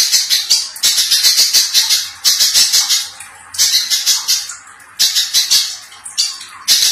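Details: Little spiderhunter, a gacor master song used to train songbirds such as murai batu, kacer and cucak ijo; harsh, dense high rattling bursts in rapid chattering series, broken by short pauses.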